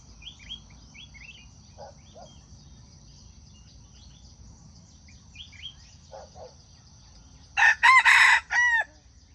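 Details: Wild jungle chicken crow used as a trap lure, coming late after a stretch of faint chirping small birds and insect hum; a loud four-part hoarse crow with a falling, fading last note.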